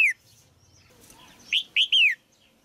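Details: Caged female Red-whiskered bulbul singing to stimulate a grown male: a loud falling whistle, a pause, then three rich slurred notes, the last drawn out and dropping in pitch.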